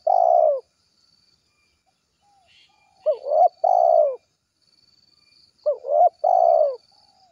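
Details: Spotted dove calling to its companions, giving a rhythmic series of phrases about three seconds apart, each a quick rising double note and then a drawn-out, downward-bending coo; otherwise quiet.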